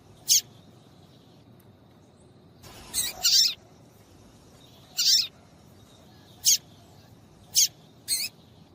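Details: Female yellow-bellied seedeater giving piping calls meant to warm up males for singing; brief high chirps at uneven intervals, one longer doubled note near the middle, roughly six calls in under nine seconds.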